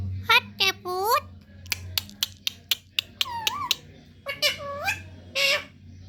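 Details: Young pet parrot making talking sounds indoors: several wavering, meow-like drawn-out vocal notes, a run of short sharp clicks, then more rising and falling voiced syllables.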